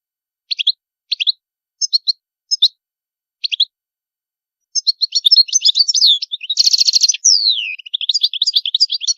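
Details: European goldfinch: spaced single high chirps at first, then a rich, fast, continuous twittering song with a buzzy trilled section and a descending whistled slur, lasting over four seconds.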